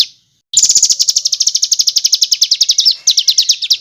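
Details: Tight, coarse rolling bird song for tutoring competition birds: after a brief note, one long, dense, very rapid trill of bright high notes runs almost unbroken.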